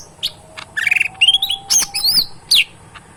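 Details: Tame caged cucak ijo mini, a lesser green leafbird kept as a pet and singing in full voice: a rapid, varied run of high whistled, chirping and trilled phrases, some sweeping up and down, with faint clicking in the background.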